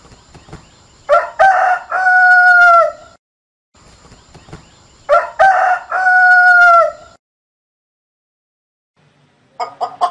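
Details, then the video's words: Rooster crowing twice, about four seconds apart. Each crow opens with rough stuttered notes, then holds a long, clear, slightly falling tone. A few short clucks follow at the end. "Tiếng kêu và hình ảnh con gà vịt ngan ngỗng"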